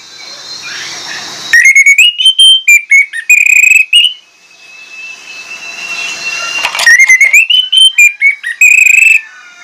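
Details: Orange-headed thrush delivering a lure song stuffed with mimicked material: two bursts of rapid, ringing whistled notes separated by a pause with a steady high hiss and a thin sustained whistle.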